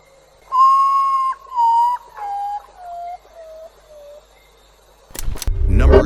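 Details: A potoo, a bird whose ghost-like cries come at night, gives six mournful whistled notes stepping steadily downward, each lower, shorter and fainter than the last, followed by a brief burst of rustling noise.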